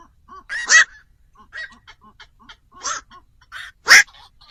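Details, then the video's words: Night heron lure for trapping birds after dark ahead of Tet: several harsh, rasping squawks of varying loudness, two standing out, with quieter nasal croaks scattered between them. "tiếng chim vạc cho anh em đi bẫy chim đêm"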